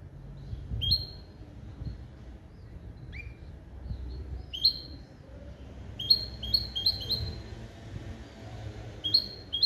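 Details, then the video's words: Goldfinch × canary hybrid, bred from a male goldfinch and a female canary and tutored in limpio goldfinch calls, giving sharp downslurred chirps, single or in quick clusters of three to four, over low room noise. "CHANT DE MON HYBRIDE JILGUERO ET CANARI"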